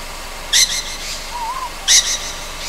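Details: A young Ryukyu scops owl on Amami Oshima at night gives two harsh, hissing rasps about one and a half seconds apart, with a faint, soft wavering whistle between them.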